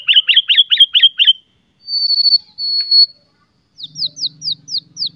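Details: White-rumped shama singing to provoke other shamas: a run of six rapid trilled notes, a thin sustained high whistle, then a series of sharp downslurred notes over a faint low hum.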